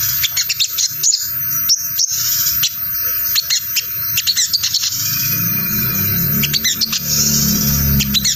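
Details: Sogon bird in ngriwik chatter, used to attract wild sogon: loose, rapid high ticks and chirps, with a low droning rumble rising in the second half.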